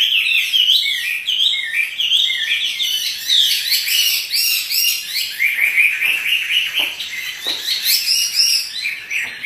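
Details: Chinese hwamei kept as a pet, singing vigorously and dancing; a rich, continuous stream of loud whistles and rapid slurred notes, with sharp clicks and rustling in places.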